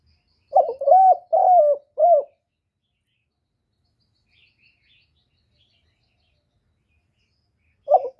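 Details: Spotted dove giving its cooing phrase to lure wild doves to the trapping spot: four loud, soft-toned coos close together, then silence, and another coo starts just before the end.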